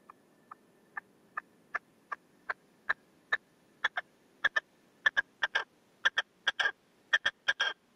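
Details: Caged male red-legged partridge decoy calling out to wild partridges: a steady series of short sharp notes that speed up and grow louder over eight seconds, ending in rapid doubled and tripled bursts.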